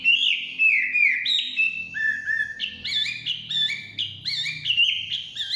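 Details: In the forest a Chinese hwamei delivers clear, mellow whistles in stepped phrases, some notes repeated in pairs, rising and falling in a melodious pattern, with a low hum in the background.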